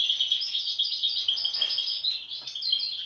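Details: European goldfinch, one of a group of sibling birds, two with an abnormal face mask since birth; continuous bright twittering with tinkling, liquid notes and quick buzzy trills, steady and high throughout.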